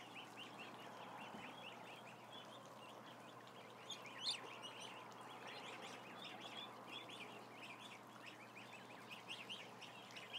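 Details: Some thousand ducklings chorusing, with steady streams of shrill, short peeps throughout, one brief louder click near the middle, and a constant hum underneath.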